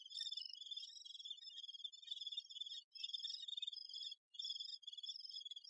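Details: Great spotted woodpecker busy with its young: an insistent high, harsh chattering in long unbroken runs, interrupted by two short silences.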